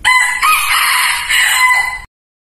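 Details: Decoy rooster kept to lure wild junglefowl, giving one loud, drawn-out crow about two seconds long, harsh and rich in overtones, with a brief break near the start before a sustained, slightly wavering tail.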